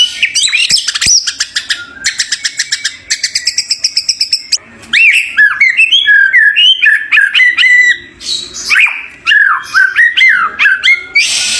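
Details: White-rumped shama (murai batu), a champion songbird, delivering a loud varied song: rapid buzzy rattles, then fluid whistled phrases sliding up and down, with harsh bursts between.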